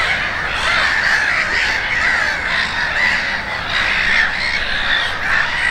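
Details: Konstancin-Jeziorna gulls in a noisy group, their rough, wavering cries overlapping constantly, with louder bursts of squealing roughly every second.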